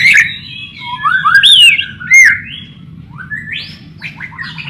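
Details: White-rumped shama song played to lure other shamas: loud swooping whistles and slides, then a harsher, buzzy burst, over a low steady hum.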